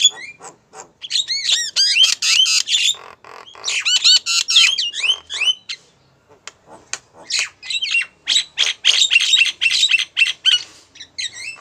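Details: A female Javan myna calls to a male in quick bursts of grating squawks and rising whistles, some sections dense and chattering, others sparse clicks.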